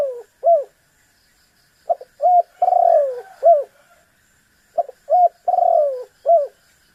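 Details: Spotted dove, locally tekukur, cooing to provoke a rival: each phrase has brief paired notes, a long descending coo and a short closing hoot, repeated twice with quiet gaps.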